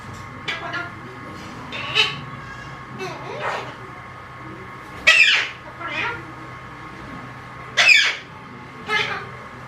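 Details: Talking Alexandrine parakeet producing harsh, raspy squawk-like bursts, some short and some drawn out, spaced irregularly over about ten seconds, with a steady low hum in the background.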